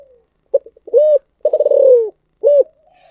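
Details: Thunder-voiced ('giọng thổ sấm') spotted dove. A stutter of short notes and an arched coo lead to a long, rough, falling coo, closed by another arched note. A faint trailing tone ends the recording.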